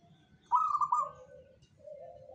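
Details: Local zebra dove of the Jogoboyo kind sings a single loud broken trill of quick bubbling coos, trailing into quieter low drawn-out cooing.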